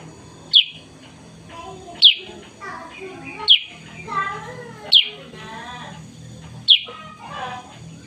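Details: Sooty-headed bulbul, black and yellow, singing in the morning: sharp, bright, downward-slurred notes repeated roughly every one and a half seconds, with a person talking softly between them.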